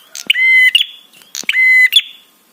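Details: Prinia giving the 'trapi' call, meant to arouse other birds and make them respond. A pair of loud, nasal, droning buzzes of about half a second, each bracketed by short clicks.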